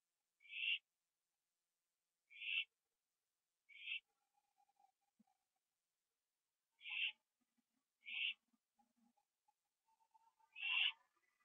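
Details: Late at night in September 2011, an owl eating a gopher on a porch makes short rasping, hissy screeches at irregular intervals, with quiet faint ticking in the gaps.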